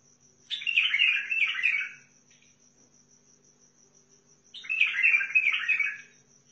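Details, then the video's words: Bulbul from Al-Faw, Basra, Iraq: two rich warbling, chattering phrases about four seconds apart, each lasting over a second, over a steady high electrical whine and faint low hum. "طيارات بلبل سيحاني بلابل الفاو بلبل البصره روعه"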